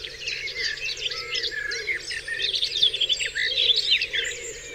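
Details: Birds singing in a dawn chorus on Dewlands Common, crowded bright chirps and warbled phrases layered over one another, with quieter low hoots below.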